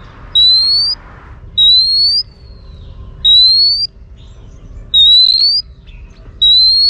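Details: Oriental magpie-robin female, calling to stimulate males, repeats a thin, high whistle that rises steadily through each note; five such whistles come about every one and a half seconds.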